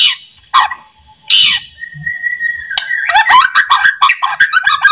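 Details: White-rumped shama song used as a lure to make other shamas sing: scattered sharp notes and a long steady whistle, then dense rapid chattering, varied phrases from about three seconds on.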